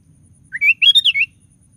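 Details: Sooty-headed bulbul in vigorous 'gacor' song, used as a lure to provoke other bulbuls into singing: one brief liquid phrase, a rising whistled note, then a quick bubbling cluster of four notes ending on a lower slurred whistle, over quiet background.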